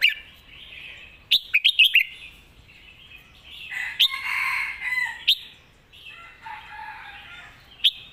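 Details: Competition red-whiskered bulbul delivering 'master song' (phaeng mae bot) material: a rapid cluster of clear warbling notes, then a harsh chattering stretch and scattered sharp chirps, with faint bird chatter behind.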